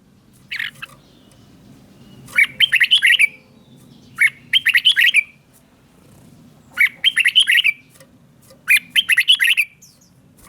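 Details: Caged Red-whiskered bulbul song from Thailand, played to stir other bulbuls or train young birds, southern master style. Four rapid, liquid, chirpy phrases, each about a second long, come roughly every two seconds against faint background murmur.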